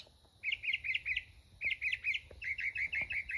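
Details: Mockingbird song built from short chattering phrases, each given two or three times, ending in a fast run of rapid repeated chips.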